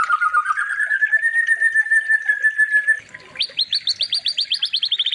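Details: Training recording of a white-rumped shama song for tutoring other shamas: a sustained whistle slowly rising then leveling off, followed after a short gap by a rapid run of crisp downward chips.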